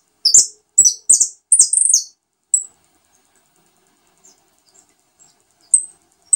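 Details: Saffron finch, locally jilguero dorado, giving food to its new chicks; a quick run of loud high chirps and slurred whistles over two seconds, followed by quiet peeps and occasional high notes.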